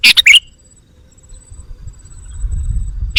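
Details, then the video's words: Sooty-headed bulbul lure call to attract wild birds: one loud burst of three fast, sharp chirps ending in a slurred note, then quiet with faint high hiss and rising low rumble, another call starting at the end. "Suara Burung Kutilang Pikat GACOR Sekali Putaran Kutilang Liar Auto Emosi!"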